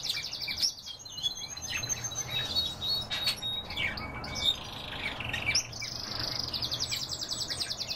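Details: Canaries singing: mixed chirps, whistled slides and squawky notes from several birds, ending in a sustained fast rolling trill.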